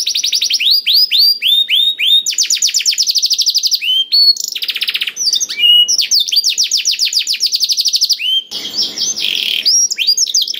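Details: Black-throated canary song used to stimulate other canaries to sing: fast rolling trills of high, downward-sweeping notes, shifting between trill types, with a brief buzzy stretch and a short noisy burst near the end.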